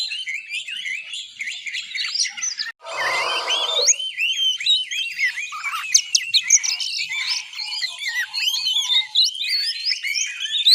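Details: Juvenile oriental magpie-robin learning to sing in the ngiriwik style: a fast, rambling jumble of high chirps, upslurred whistles and short twittering trills, broken near the start by a brief low rustling burst of noise.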